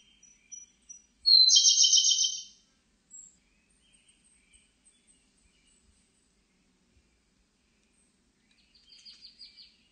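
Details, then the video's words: Siberian blue robin singing: faint introductory ticks lead into a loud, rapid, high trill about one second long, followed by scattered soft clicks. A fainter, high, stuttering phrase comes near the end. "쇠유리새, 여러번 듣기, 곤충소리, 새소리"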